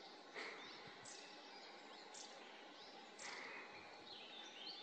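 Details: A pair of long-tailed tits building a nest at the edge of Siemianówka reservoir give thin, very high, short calls, some sweeping down, spaced about a second apart, faint from a distance over steady background hiss.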